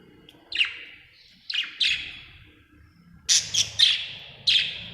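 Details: A happy budgie chirps in quick, sharp high notes, some single and some clustered in rapid pairs and triplets, over a faint low hum.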